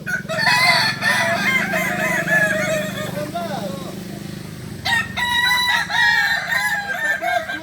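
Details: Several kukuak balenggek roosters crow together at a singing contest final, Ampang Kualo, Kota Solok, 8 September 2024; a busy chorus of warbling syllables over a low drone, then one clear stepped crow rising above.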